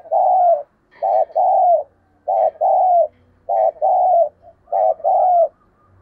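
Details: Spotted dove cooing, used as a lure to draw in and stir other doves to call: paired mellow hooting coos, a short note then a longer one, repeated about every 1.2 seconds in a steady series.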